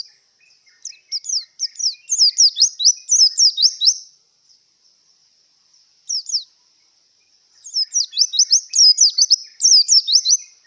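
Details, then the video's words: White-eye in breeding condition, singing high, thin, rapid twittering phrases of sharp up-and-down slurred notes. A burst of about three seconds, a short pause with a brief note, then another long run. The background is otherwise quiet. "Suara Burung Pleci Yang Sedang Birahi"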